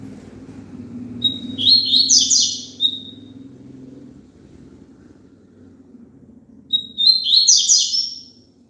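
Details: Double-collared seedeater singing, a recording for a caged bird to sing along with: two high phrases about five seconds apart. Each starts with a whistled note and rolls into a buzzy, twittering warble, over a steady low rumble.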